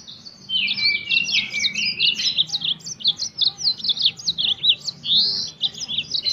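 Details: Yellow-fronted canary, called burung mozambik, singing in the wild as a lure recording: fast, continuous twittering of high chirps and short rising and falling whistles, with brief trilled phrases throughout.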